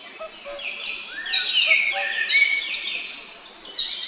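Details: Great spotted woodpeckers, a pair caring for young: intense high chattering with rasping, overlapping notes throughout, and a couple of faint low hoots from another bird at the start.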